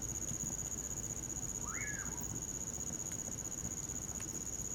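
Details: A lone swooping whistle from a common pauraque, rising then tapering downward, is heard on a winter night scene with a campfire. Steady shrill crickets and light crackling accompany it.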